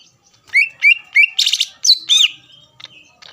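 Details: Greater green leafbird song meant to stir rival leafbirds into singing: three rising whistled slurs in quick succession, then a loud buzzy burst and a bright descending whistle, fading into soft chips.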